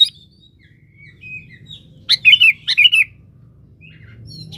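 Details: Sooty-headed bulbul singing in full voice, a song used as a lure and calling to a rival: faint soft notes first, then two loud bursts of bubbling, chattering phrases close together, followed by quieter calls.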